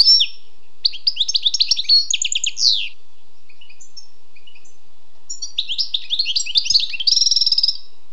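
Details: Wild European goldfinch song: a fast twittering phrase with buzzy trills, about two seconds of silence, then another chattering burst ending in a rapid rattling trill.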